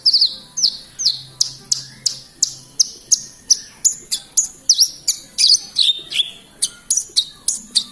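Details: Vigorous song of a Horsfield's bush lark from Kediri, East Java: sharp, high chirps repeated roughly twice a second in a steady rhythm, some notes doubled or trilled, over a faint low hum.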